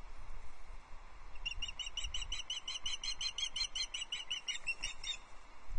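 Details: Female osprey at Loch Arkaig, 6 July 2024, fish calling for her mate; a rapid series of high piping chirps over low rumbling wind or wing noise.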